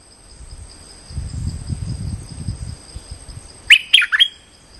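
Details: Streak-eared bulbul calling as a trapping lure: after several seconds of low rumbling noise, a short burst of three sharp, chattering chirps arrives near the end.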